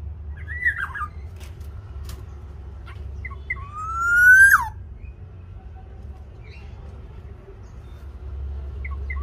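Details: Black-naped oriole from Java, song used to encourage a captive oriole to sing: faint short whistles, then one loud slowly rising whistle ending in a falling slur, then quiet.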